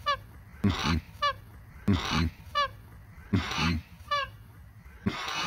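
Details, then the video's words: Male pet cockatoo trying to say "I love you" in English, a phrase he often says; short nasal harmonic notes alternate with raspy, breathy bursts in an uneven repeating pattern, several rounds in quick succession. "My Cockatoo trying to say "I love you""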